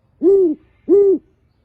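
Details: Two matched, low, breathy hoots about half a second apart from a male great horned owl living at a bird show. The surroundings are quiet.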